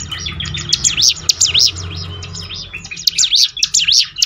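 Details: Bar-winged prinia song used to encourage birds to sing more often: rapid high zigzag chirps in two loud bursts with a brief dip between them, over a low background hum.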